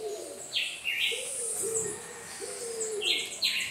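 A scaly-naped pigeon gives low, drawn-out coos, about four in quick succession, under sharper chirps from other birds and a steady high insect hiss.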